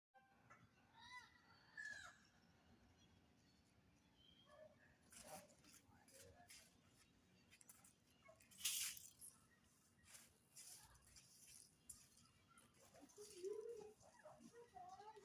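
A pet parrot gives scattered short, nasal calls and squawks against a quiet indoor background.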